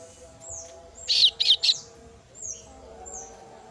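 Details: Female kasu-kasu bird chick calling its parent with a tight series of three harsh, scratchy notes, surrounded by faint thin whistles of other birds.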